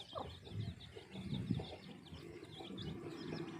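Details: Peeping chicks with their brown and black hen, outdoors at feeding time: many small high chirps overlap continuously above soft low murmurs and rustling.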